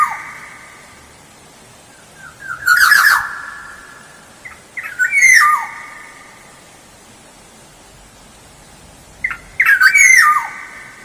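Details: Black-naped oriole song used as a lure: three loud fluty whistled phrases around two seconds apart, each sliding and stepping downward, with short harsh bursts mixed in and quiet gaps between.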